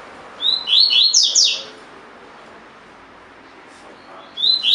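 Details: Caged collared seedeater giving tui tui fibra song, used as training audio: a quick phrase of upslurred whistled notes running into sharp high twitters, a three-second pause, then the next phrase starting.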